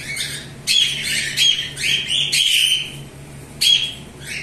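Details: A flock of pet cockatiels produces dense, overlapping harsh squawks and screeches, calls tumbling one after another for over four seconds with barely a gap, a low steady hum underneath.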